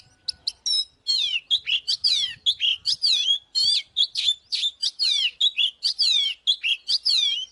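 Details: Oriental magpie-robin singing to provoke a fight: a dense, rapid run of loud whistled phrases, many notes swooping down and up, packed almost without pause and heard clearly against a quiet background.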